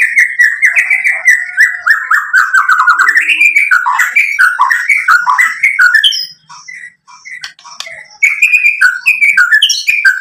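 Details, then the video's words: White-rumped shama singing a fast, varied stream of whistled and chattering notes, dense for six seconds, a brief near-silent gap, then another run of loud rising whistles; recorded as a lure to stimulate other birds to sing. "SUARA MURAI BATU Untuk Memancing BUNYI jadi NYAUT GACOR"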